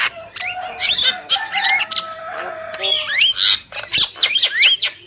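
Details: Javan myna male and female calling energetically: a jumble of scratchy notes, rising and falling whistles and harsh chatter that runs almost continuously, over faint background hiss.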